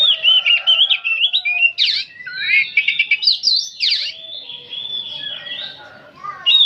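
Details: Old oriental magpie-robin singing on and on, delivering loud, rapid whistled phrases, rising and falling slurs and scratchy bursts, easing into a steady high warble before another strong note at the end.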